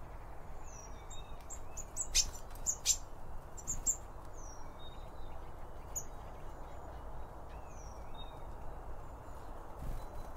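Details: Blue tits among other birds gathered at a garden feeder; thin high whistled notes, some sliding downward, scattered throughout, with sharp clicks and taps between two and four seconds and steady low rumbling noise underneath.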